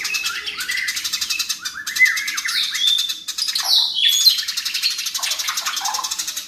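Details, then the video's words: Eurasian tree sparrows in fighting mode give a fast, unbroken stream of loud, high chirps and scratchy rattling trills, tightly packed with no pauses, apparently more than one bird. "BURUNG GEREJA NYERET SPEED RAPAT VOLUME KERAS GACOR KONSLET"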